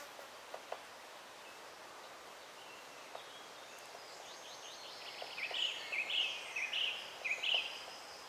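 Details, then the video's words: Great spotted woodpecker young begging while being fed by adults: a rapid series of high, buzzy chattering notes starting midway, about five bursts in quick succession over quiet background hiss with a few soft clicks. "Dzięcioł duży dokarmianie młodych"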